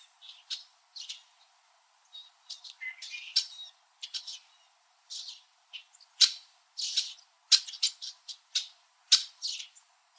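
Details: In a Southern Ontario backyard in winter, multiple Red-winged Blackbirds perched high on branches chatter at each other: brief, sharp chips tumbling irregularly, growing louder and denser in the second half.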